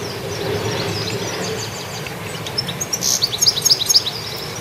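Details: Goldfinch active outdoors, a short burst of high, thin chirps and quick twittering notes after a quiet stretch, over a steady low hum of background noise.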